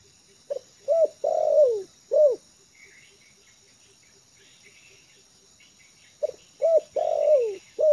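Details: Spotted dove kept as a trained lure bird, at ease on the ground, gives a low cooing phrase with a long drooping middle note, then a quiet gap of rhythmic ticking and distant chirps before the phrase repeats.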